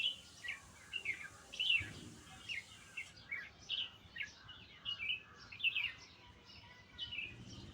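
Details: Song of a nightingale: a rapid series of short, high chirping and trilled notes, closely spaced and fairly even, with a dull low bump early on and a soft hiss.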